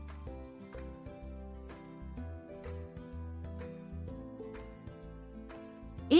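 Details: Gentle keyboard music plays steadily, with a brief voice starting right at the end.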